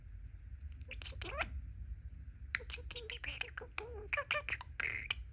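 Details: Male pet budgie, known to chat and ask "whatcha doin'?", murmuring soft, rapid speech-like syllables and squeaky notes over a low background hum.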